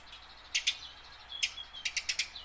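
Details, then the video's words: Tame house sparrow practising song, kept to lure wild-caught sparrows into singing; a pair of sharp chirps, a single chirp, then a quick series of four bright chirps, with a faint thin whistle between. "burung gereja jinak belajar bunyi"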